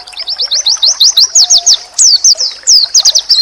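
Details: Oriental white-eye (pleci) masteran training song, said to make other white-eyes answer at once: rapid, high, sharp chirps in quick sweeping runs, interrupted by brief pauses, with a faint low whistle drawn out beneath.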